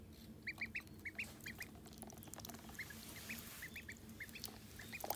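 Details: Call duck ducklings feeding side by side, older and younger chick together, utter short high peeps. The peeps are scattered, single or paired, and softer toward the middle, with clicks and rustling of eating and a steady low hum.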